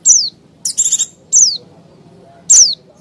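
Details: Lure calls of a Mountain white-eye for wild birds, three sharp high chirps sliding downward, interspersed with a brief rapid buzzing trill.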